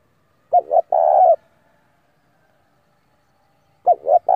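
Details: Spotted dove decoy, calling wild males to fight, gives a full coo of two short notes and a long even hoot, then begins another after a pause of two and a half seconds.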